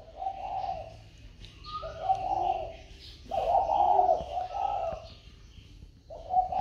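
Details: Spotted dove kept in a box after purchase, calling normally: a sequence of mellow, low-pitched cooing phrases separated by short pauses, with faint higher chirps in the background.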